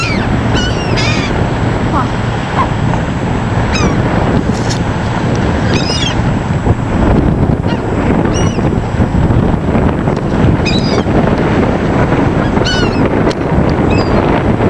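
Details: Feeding seagulls calling repeatedly, short harsh nasal cries coming every second or two from several birds over heavy roaring wind and surf noise.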